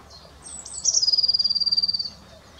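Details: At Ammersee on 30 April 2018, a great crested grebe calls: a brief high descending whistle, then a quick, even, rattling trill of about twenty pulses held at one high pitch for roughly a second.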